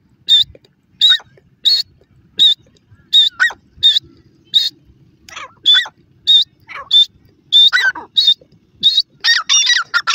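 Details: Grey francolin (dakhni teetar) giving a rapid series of sharp high call notes about every 0.7 seconds, interspersed with descending slurred notes and building to a dense, overlapping burst at the end.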